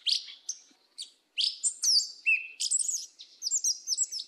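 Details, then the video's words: Yellow-legged Thrush (sabiá-preta, Turdus flavipes) singing in the 'mateiro do sul' style: high, rapid phrases of sharp chirps, slurred whistles and buzzy trills, broken by short pauses and growing denser toward the end. "SABIÁ PRETA CANTO MATEIRO DO SUL"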